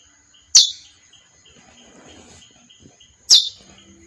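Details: A female chestnut-bellied seed finch gives two emphatic, short chip calls nearly three seconds apart; soft rustling and a faint high steady tone fill the gap.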